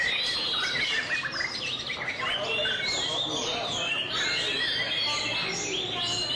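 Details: Display song of a White-rumped shama: a busy run of high chirps and whistled notes, repeated roughly three times a second, with background hiss.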